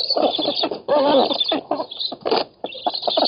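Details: Black storks at a nest in an oak in Poland, 7 August 2018, competing for fish, filmed by camera: rough, croaking pulsed calls in quick bursts with short gaps, over steady background hiss.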